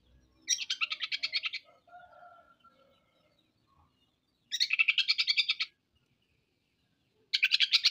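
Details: Kacer, the oriental magpie-robin, delivering rough harsh material: three buzzy, grating rattles of quickly pulsed notes, each about a second long, spaced several seconds apart, with soft low sounds between them.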